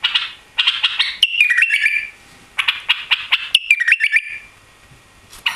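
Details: Song of a caged, recently arrived white-eared bulbul: scratchy chatter leading into a clear, stepping whistled phrase, repeated twice, with a quiet pause between phrases.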